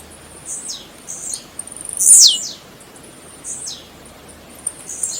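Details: Blue-black grassquit singing, used to warm up other birds: high, hissing downslurred notes, with a quick run of dry ticks leading into one loud sweeping buzz near the middle, then softer repeats.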